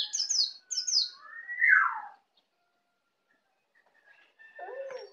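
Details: Juvenile Bali white-eye kept as a pet, practising ngeplong singing. Two quick high chirp bursts lead into a loud downward-sweeping slur, then silence, then a soft lower warbled note near the end.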